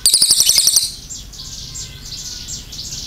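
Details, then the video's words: Cililin giving a short, rapid high trill of evenly spaced notes lasting under a second, followed by fainter high thin chirps and sweeps in the background. "CILILIN GACOR NEMBAK PANJANG SUARA JERNIH"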